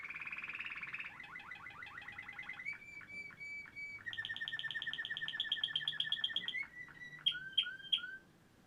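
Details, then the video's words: Waterslager canary from Quetta in full song: dense rolling trill, a series of fast bubbling notes, level held tones, then a longer rapid roll and a few loud sharp whistled notes. "Quetta waterslgar canary singing very nice"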